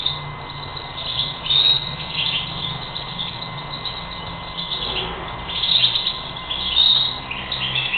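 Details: European goldfinch recorded in April 2021, giving bursts of rapid twittering with bright, tinkling high notes, separated by quieter gaps, over a steady background hum and low rumble.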